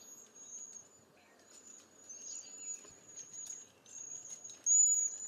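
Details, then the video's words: Cedar Waxwing, eastern North America: a run of high, thin, lisping whistles with slight wavering pitch, almost continuous for five seconds, ending in a louder, sharper note. "Cedar Waxwing Bird Song"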